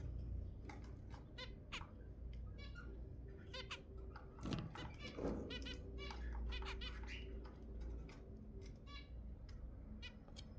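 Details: Repeated sharp, nasal honking calls of zebra finches, meant to stimulate mating, coming in irregular bursts with a louder rustling cluster midway and constant low hum behind.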